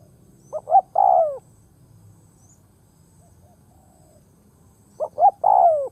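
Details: Decoy spotted dove cooing from the ground to draw wild doves; two widely spaced phrases about four seconds apart, each of short paired hoots followed by a long, mellow, descending note, with silence between.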